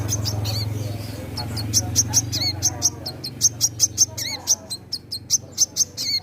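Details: Captive sunbird, locally called wiceh, singing energetically: bright, piercing high chips in irregular bursts, some with dropping slurs, while a low rumble runs underneath.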